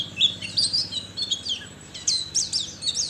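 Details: White-eye kept for singing contests in Sambas, West Kalimantan, gives a jumbled, high twittering warble, then crisp separate chirps in its last second, over faint low noise.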